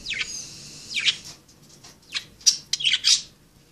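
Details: Playful budgerigars produce a drawn-out whistled call, then a run of rapid scratchy chirps and squawky notes bunched near the end.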